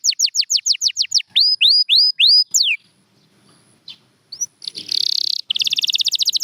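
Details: A champion canary sings a series of falling whistled notes and rising slurs, pauses briefly, then ends with a buzzy trill and a fast chattering run.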